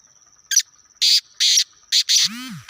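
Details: Black francolin (kala teetar) recorded in Khushab: a series of harsh, raspy bursts, the last two close together, over a steady high-pitched electronic whine, ending with a brief low sweeping mechanical noise.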